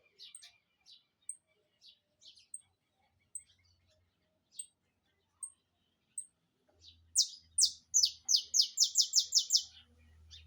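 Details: Saffron finch in full song: scattered faint high chips at first, then a fast, loud volley of about a dozen high downslurred notes packed close together, with a low rumble in the background.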